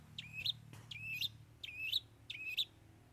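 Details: Long-tailed Shrike singing mimicked fillings: four clear whistled phrases, each a sliding note ending in an upward flick, spaced roughly seven-tenths of a second apart, over faint low background rumble.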